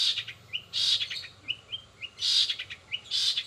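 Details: Long-tailed shrike, fast 'rol spid' style with mimicry of sparrows, sogon and canary: rasping harsh bursts alternating with short, clear rising whistles, in irregular rhythm.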